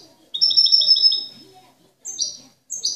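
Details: European goldfinch, a model master bird, singing clean song, the style called cante limpio, with no faults or discordant notes: a quick run of repeated bright, high twittering notes, then two sharper rising chirps.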